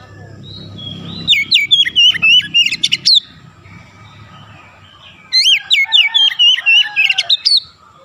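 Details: Oriental magpie-robin singing in the rapid, continuous 'ngerol' style: two bursts of loud, varied whistled notes, sharply rising and falling, separated by a few seconds of quiet, with faint low background noise.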